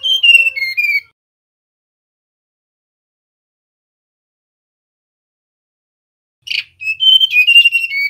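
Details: Male mangrove blue flycatcher, song used as a lure to make other birds sing, giving two bursts of clear, high, sweet, mostly falling whistles in quick succession with a long silent gap between. Mangrove blue flycatcher.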